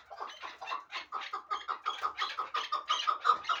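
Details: A hybrid partridge, bred for fighting and hunting, gives a regular chuckling series of nearly three throaty notes per second, growing slightly louder.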